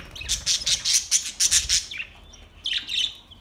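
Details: Budgerigars singing, August 4, 2023, with a rapid run of loud, high, chattering pulses followed by softer warbled and scratchy notes after a short pause.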